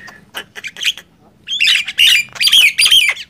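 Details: Gemboran contest of a Nias hill myna against a black-winged myna; scattered raspy clicks open, then loud harsh squawks and ringing whistles come in three strong bursts.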